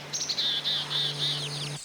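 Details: Black-capped Chickadees coming out to a screech-owl call to see the predator, a social flock migrating along an ocean cliff with few trees in Massachusetts: high, thin chip notes in quick, uneven bursts over a low steady hum.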